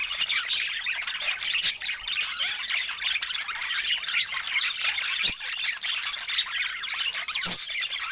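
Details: Joyful budgerigar chatter over fresh food, in natural Scandinavian light: a steady wash of bright twittering and scratchy warbles, broken by a few loud clicks or sharp notes near the end.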